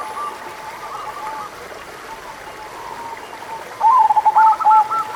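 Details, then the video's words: Local zebra dove song used to stimulate doves that are slow to sing: nearly four seconds of faint hissing background, then a sudden loud phrase of quick, rolling coos near the end. "100% Ampuh Buat Perkutut Malas Bunyi - Pancingan Suara Burung Perkutut Lokal"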